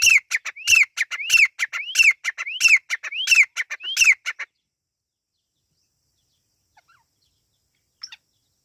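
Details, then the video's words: Irani teetar partridge chicks: about seven quick phrases of a rising whistle plus chattering notes over four seconds, then silence apart from one faint distant note near the end. "Irani teetar ki awaz | Teetar ki awaz | teetar chicks sound"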